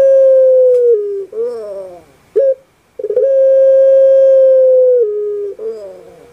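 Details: Puter pelung dove, a kept bird popular in Java, Indonesia, with a voice described as kuk gerukkk kwokkk: a long, steady, mellow hooting note, then a wavering gurgled section, a short clipped note, and another long sustained note slightly falling at the end.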